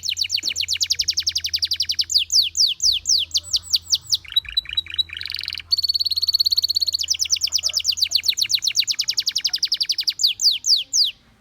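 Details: Gloster canary singing to encourage other canaries to sing: rapid trills of repeated high notes, switching between fast buzzy rolls, downward-sweeping whistles and steady rattling phrases, loud and continuous throughout.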